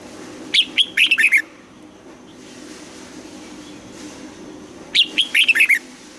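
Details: Morning training song of a red-whiskered bulbul in double-note wild style: two short phrases of sharp whistled notes dropping in pitch, about four seconds apart, with steady low hum between them.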